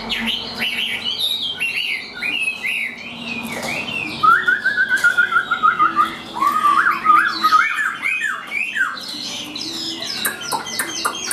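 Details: Tame, hand-carried Chinese hwamei singing at its best: loud, varied phrases of slurred whistles, including a rapid run of repeated rising notes, then warbled and squeaky figures, continuing without pause.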